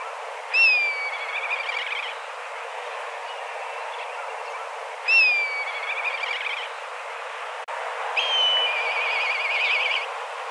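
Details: Black kites from a flock of dozens wheeling and calling in search of food. Three spaced calls, each opening with a clear downslurred whistle and sliding into a buzzy, quavering trill. The calls come roughly every four seconds over a steady outdoor hiss.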